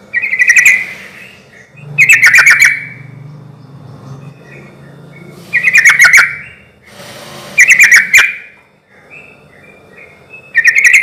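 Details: Sooty-headed bulbul calling, played as a lure to get other bulbuls to reply; harsh chattering bursts of about half a second come every two seconds or so, with quiet gaps and a low background hum.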